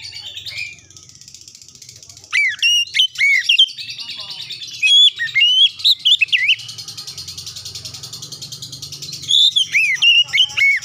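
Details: Oriental magpie-robin singing a clear lure song meant to set other birds singing: bursts of loud, varied whistles and sharp rising and falling notes, with quieter scratchy chatter between phrases and a faint low hum beneath.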